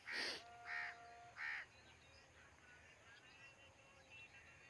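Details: Black francolin calling near Khushab: three loud, harsh, grating notes in quick succession in the first two seconds, then faint background noise and distant birds.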